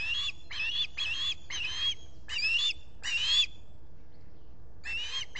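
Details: At a Finger Lakes nest in the US on 23 July 2021, with a visitor at the nest, an osprey gives loud, piercing, slightly rising chirps. Six come in a run, then a gap of over a second, then more.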